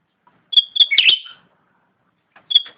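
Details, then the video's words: Cucak ranting in vigorous song: sharp, bright whistled notes followed by a quick tumbling twitter that falls away, then silence before another clear whistled note near the end. "Suara asli cucak rante / ranting gacor"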